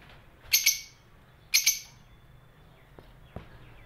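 A lovebird gives two shrill, harsh double chirps about a second apart, then a few faint clicks against quiet background hiss.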